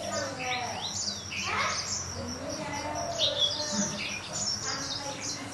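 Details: Green singing finch, also called rock canary, Serinus mozambicus: a quick run of high chirps, twittery trills and sliding notes, with faint low background noise throughout.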